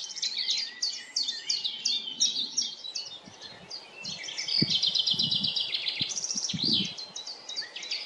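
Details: Chaffinch song recorded in woodland, with quick high chirped notes repeated in dense bursts over about eight seconds, accompanied by soft low thumps and rustling.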